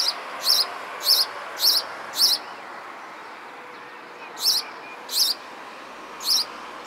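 A sparrow gives seven short, bright chirps: four in a quick run, then three more spaced out, over a steady low hiss of background noise.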